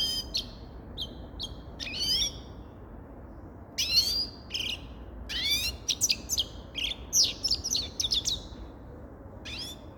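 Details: Grey-crowned goldfinch song: short scattered chirps at first, then a denser second half of bright, tumbling twittered phrases.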